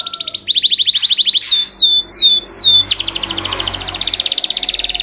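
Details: Canary song played as a lure to get other canaries singing eagerly: a fast buzzy trill, then a run of loud downward-swept whistles, ending in a very rapid fine high trill.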